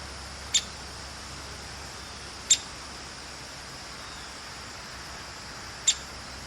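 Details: Talkative female downy woodpecker calling: three short, sharp, high-pitched pik notes spaced irregularly, two to three seconds apart, against constant background hiss and faint low rumble.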